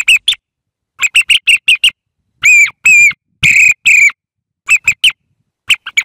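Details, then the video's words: A thrush sings phrases of clipped whistled notes in quick clusters of three to five, broken by silences, including longer clear whistles that dip and rise, roughly one phrase a second. "صوت السمن"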